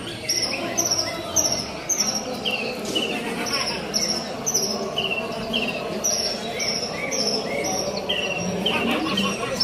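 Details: Contest Javan bush lark giving high, clipped whistles and downward-sweeping notes in uneven bursts, with human voices and general hubbub in the background.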